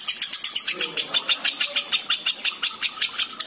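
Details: Ngekek call of a lovebird in breeding condition: a steady string of sharp, high, chattering notes about five per second, evenly spaced and unbroken.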